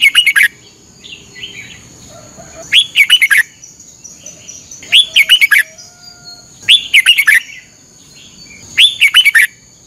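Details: Red-whiskered bulbul kept as a caged bird in Thailand, played in a thirty-minute morning training session: short bursts of bright, warbling whistled phrases, each under a second, repeated about every two seconds, with a steady high hiss behind.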